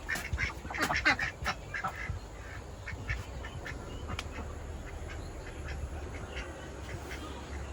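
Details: Many domestic ducks kept at a village house, heard in the morning, quack in a quick, harsh cluster over the first two seconds, then fade into steady low rumbling background noise.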